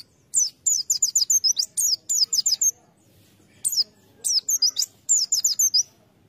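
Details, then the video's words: White-eye used as a lure bird: bursts of high, rapid chirping notes in quick twittering phrases, with pauses of a second or two between bursts. "Pleci | Burung Kacamata bahan pancingan"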